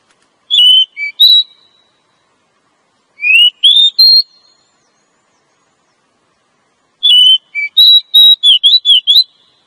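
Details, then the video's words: Female Oriental magpie-robin attracting a male: three whistled phrases, the first two short with sliding notes, the last a longer rapid string of bright chirping whistles, on a silent background. "Suara Burung Kacer Betina Ampuh pikat Penjantannya"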